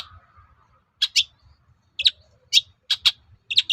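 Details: Long-tailed shrike song used to provoke other shrikes into replying: paired sharp high chirps repeated about once every half second, following a faint low whistle at the start.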